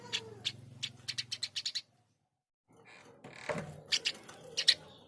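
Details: Eurasian tree sparrow giving a quick series of about eight sharp, high chirps. A brief silence follows, then a few more chirps over a rustling, noisy background.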